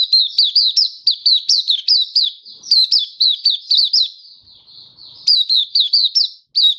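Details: Oriental white-eye singing, 24 February 2023: a lively, high-pitched stream of crisp chirps that dip and rise, repeated rapidly in bursts with a brief quieter stretch midway.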